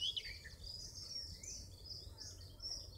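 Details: Garden warbler in full song by Dukes Head Passage in Bushy Park: a faint, continuous, rapid high warble of fluid twittering notes running without pause, over a low rumble of background noise.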